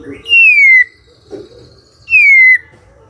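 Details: Magpie-robin morning lure song meant to make a silent bird reply: two long, clear whistles, each sliding gently downward, separated by a pause with a soft low sound between them.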